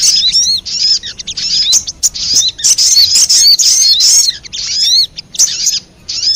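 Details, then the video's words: Sogon calling as a lure for wild birds: bursts of shrill, twittering chatter with sweeping whistled slurs, broken by short gaps, and a quieter pause near the end. "Suara pikat burung sogon 💯% bikin sogon liar berdatangan"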